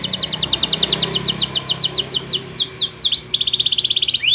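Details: Canary singing melodiously, a song meant to prompt other canaries to sing along: a fast run of repeated high clipped notes, then sweeping downslurred whistles and a quick buzzy trill ending in a rising note.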